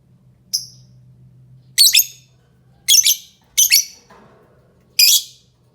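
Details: Lovebird giving short, high, harsh chirps in separate bursts, some doubled, with a low steady hum underneath.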